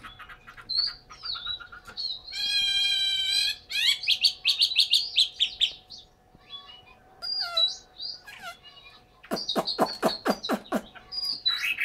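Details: Chinese hwamei, a cage bird kept in Hanoi, Vietnam, giving a varied song of short chirps, a buzzy harmonic rattle, scratchy twittering and sharp clicking bursts, with brief pauses between sections.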